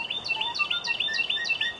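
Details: Carolina wren (Thryothorus ludovicianus) calling from behind a tree on a Texas birding outing: bright, ringing phrases, each a quick high downslurred note pair, repeated about six times in two seconds over faint background hum.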